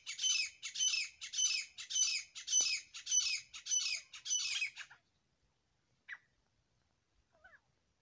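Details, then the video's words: A pair of grey francolins gives eight loud, raspy squawking bursts in an even rhythm for five seconds, then falls quiet apart from two faint short notes. "Grey Partridge Sounds . Francolin Voice . Dasi teetar Awaz . boli . جوڑے کی آواز"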